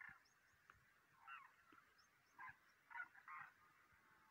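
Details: Demoiselle cranes migrating in March 2023 give soft, rattling croaks in short clusters, the last two close together, with faint high chirps.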